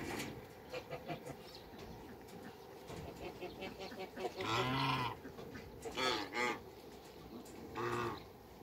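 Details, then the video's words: Three Toulouse geese, two males and a female, kept in a backyard, let out three loud, drawn-out nasal honks spaced a second or two apart over soft background chatter. "TWO MALE ONE FEMALE TOULOUSE GEESE AFTER THE CREATE WATERBIRDS IN THE BACKYARD"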